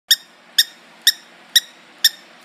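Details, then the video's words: A pet bird gives sharp, high squeaks, one about every half second, five in all, each short and bright with stacked overtones, in a quiet room. "Squeaky Bird"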